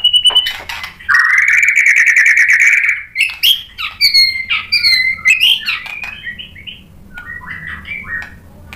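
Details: White-rumped shama lure song to set off another bird: a brief high whistle, then a long buzzy rattling trill lasting about two seconds, followed by varied sharp chirps and whistles fading into soft background hiss.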